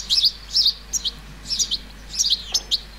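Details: Juvenile European goldfinch calling from a flower bed in the countryside of central France on 30 July 2019, summer: bright, high twittering chirps in quick bursts of two or three notes, repeated about every half second over faint background hiss.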